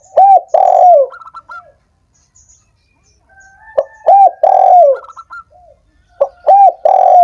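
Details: Spotted dove cooing intended to rouse lazy doves into song; three hoarse three-part phrases with a falling last coo, separated by pauses, and brief trilled chirps from another bird.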